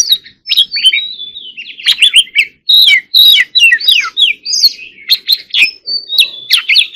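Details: Vigorous 'hót líu' fighting song of an Oriental magpie-robin: loud, almost unbroken flow of slurred whistles, scratchy trills and chips in quick phrases, with a faint low hum underneath.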